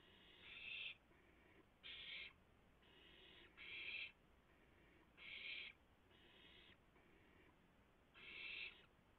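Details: At a nest during a rabbit delivery, 3:38 AM, April 7, 2016, owls feed one after another. Six loud, raspy hissing screeches sound at irregular intervals, with softer hisses between them, against low steady background noise.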